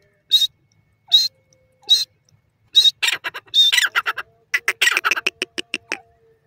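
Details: Francolin calling: loud, harsh, ringing notes, four spaced about a second apart, then quickening into a rapid, clattering burst of short clipped notes before stopping.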